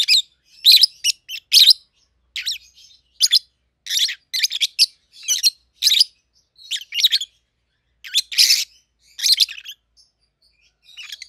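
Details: Shrill, rasping chirps from a pair of 7-8-month-old peach-faced lovebirds raised together in captivity, red-headed green opaline and red-faced dark green colour forms, come in a steady run of separate bursts about every half second.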